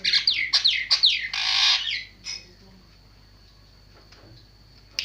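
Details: Javan myna song: a burst of fast, harsh, descending squawky notes and a loud rasping screech, then near silence with a faint steady high tone.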